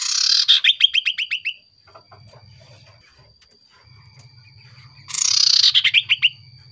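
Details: Common iora (cipow sirtu), a lure recording that gets other birds answering: two phrases several seconds apart, each a harsh buzz followed by a rapid run of downslurred high chirps, with low rumbling noise between them.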